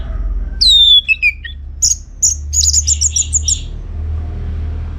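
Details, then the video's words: Orange-headed thrush singing steadily, its song used to coax other birds into answering: a falling whistle followed by a quick run of repeated high, sharp notes, over a low hum. "Kicauan ANIS MERAH Gacor"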